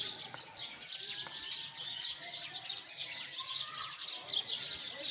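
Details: Continuous high chirping from many sparrows, a thick twittering texture with occasional brighter single notes.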